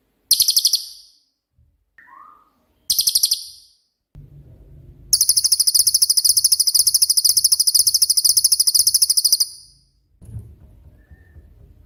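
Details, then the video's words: Cililin singing in its 'tembakan' (rapid-fire) style, used as a master song for training songbirds: loud, very high buzzy trills of fast repeated notes in bursts, with one long rapid-fire series, brief softer whistles and low rumbling background noise. "BURUNG CILILIN COCOK UNTUK MASTERAN"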